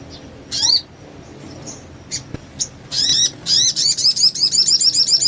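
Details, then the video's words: Crested jay song on a master recording for lazy or silent birds: scattered high chips and squeaks, then a rattling series of downslurred notes speeding into a steady repeated trill. "Masteran Sogon Gacor,sogon lain pasti ikut bunyi"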